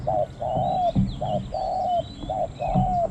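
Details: Decoy Spotted Dove at the third spot calling against wild doves in a small-voiced khu-ang style: crisp low coos, each a short note followed by a longer falling one, repeated three times, with soft bird chirps in the background.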